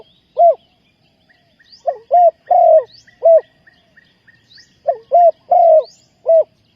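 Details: Spotted dove used to lure wild doves into a trap, Ninh Thuận: repeated mellow coo phrases, a short note and then a longer drawn-out croo, given in two bouts, with a soft rhythmic chirping of another bird behind.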